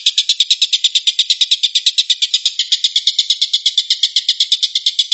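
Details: Rapid-fire 'tembakan' song of the tengkek buto (long-tailed shrike): a continuous dry, grating rattle of quick pulses, slightly uneven in loudness, filling the whole five seconds.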